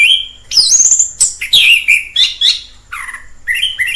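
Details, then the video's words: Orange-headed thrush in the wild singing loud whistled phrases, rising and falling slurs interspersed with sharp chips, with short pauses between phrases. "Suara asli anis kembang di alam liar"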